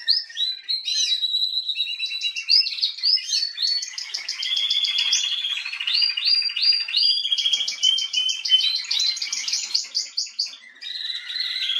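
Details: Female canary, Atlantic canary species, singing on 21 January 2022: a long, varied, continuous song of rapid trills, repeated slurred notes and rolling phrases at changing pitches without a break.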